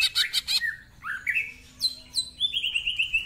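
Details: Rough-voiced greater green leafbird song: opening harsh rattling chips, rising slurred whistles, two sharp downward high sweeps, then a fast series of bright repeated notes.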